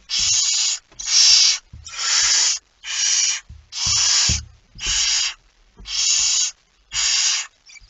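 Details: Barn owl with a mouse, 17 September 2019, 01:49 at night: eight steady, breathy rasping hisses, each about half a second, repeated roughly once a second, with faint low knocks in the gaps.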